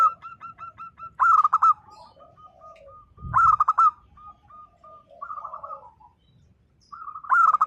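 Zebra dove giving steady, evenly spaced soft cooing notes, broken every few seconds by louder, rolling, trilled coo phrases; a brief low thump is heard once.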